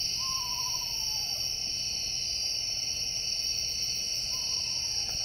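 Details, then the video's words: An Eastern screech owl on a tree branch at night gives two quavering, descending whinnies about four seconds apart, against a loud, steady high-pitched insect chorus. "Eastern Screech Owl whinny calls at night"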